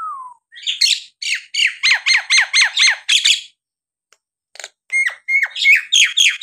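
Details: A Nias hill myna sings to goad lazy birds into singing: a falling whistle, then an even series of about ten harsh downslurred notes, a pause, and more sharp squawky notes.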